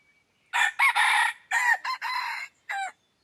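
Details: Lure bird, a red junglefowl, crows to attract wild junglefowl. One long, loud, rasping crow broken into about six choppy syllables, the last a short bent note.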